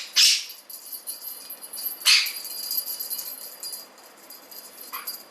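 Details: Male blue Quaker parrot, a pet, playing excitedly with his favourite bell toy during his morning routine; three harsh, loud, broadband screeches, each short and about two seconds apart, with faint steady ringing tones behind.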